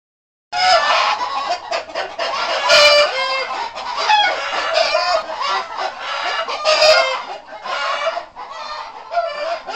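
Two turkeys call over each other almost without pause, rapid throaty gobbles and warbling clucks rising and falling in overlapping bursts.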